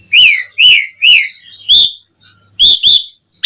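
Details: Asian pied starling in gacor song. Loud slurred whistles rise then fall and come in quick succession, with a short quiet gap before a final pair of brighter whistled notes.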